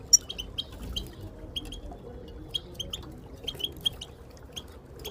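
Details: Moroccan goldfinches calling as a group, female included, to stimulate silent birds to sing; thin, high, clipped chirps spaced irregularly, somewhat quieter, over a soft low rumble.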